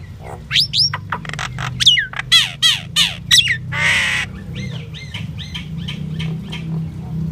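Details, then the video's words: Common myna singing a varied, jumbled phrase: sharp rising and falling whistles, clicking notes, a harsh buzzy rasp near the middle, then a run of short repeated chirps, over a steady low background hum. "Common myna bird song Indian myna sound | mynah singing"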